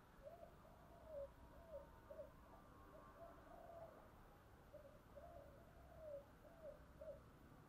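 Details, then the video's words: Morning call of a spotted dove, faint and distant against steady background hiss and low rumble. Two soft cooing phrases of several low notes each, one long drawn-out coo in the middle, repeated after a pause of a few seconds. "tiếng cu gáy, gáy gọi buổi sáng"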